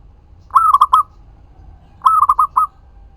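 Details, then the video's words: Zebra dove, a local bird in steady song, used as a lure so that other doves respond. Two phrases about one and a half seconds apart, each a longer cooing note followed by three or four short, rounded notes. "Perkutut lokal GACOR suara ampuh untuk pancingan langsung nyaut"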